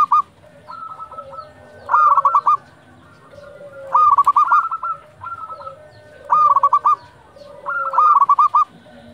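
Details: Local zebra dove, a lively caller, cooing at dusk: clear stepped phrases of rapid pulsed coos, each burst ending in a fast trill, repeated every two seconds or so, with fainter doves cooing behind.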